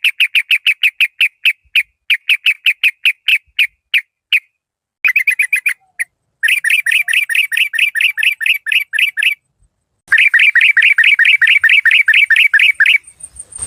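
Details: Decoy yellow-vented bulbul from Malaysian stock pours out long runs of rapid, regularly repeated sharp notes, with brief gaps between phrases and a faint high whine near the end.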